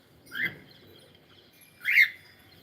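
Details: Pet cockatiel singing: two loud bright rising chirps about one and a half seconds apart, rich in overtones, with near silence between them.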